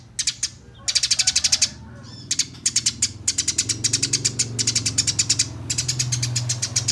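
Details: Eurasian tree sparrow master song for singing contests, a fast rolling series of sharp high chirps in tight rhythmic bursts with short gaps, dense chatter later, a loud low hum running underneath.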